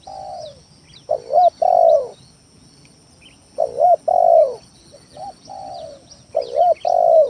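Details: Lure song of a spotted dove to provoke rivals: a falling coo, then loud doubled coos with a long descending ending, repeating every two to three seconds across three phrases. Faint bird chirps above.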